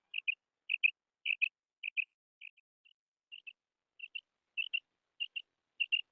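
Female quail calling in short, high, doubled notes, each pair clipped and sharp, repeated about twice a second against a quiet background.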